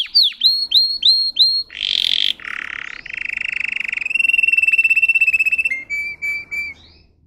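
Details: Canary song made of linked sections: upslurred whistles, a harsh buzzy burst, then long steady rattling trills at a lower pitch, and a few drawn-out whistled notes to finish.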